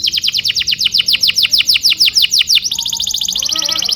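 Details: Canary song used as a tutor for young canaries: a rhythmic string of loud falling sweeps, about three a second, followed by a rapid high rolling trill and a low warble.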